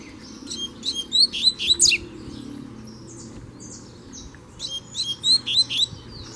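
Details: Double-collared seedeater, a free-flying bird challenging a caged rival in Brazil: two loud bursts of high, sharp, downslurred whistles in quick series, separated by a quiet pause of about two and a half seconds.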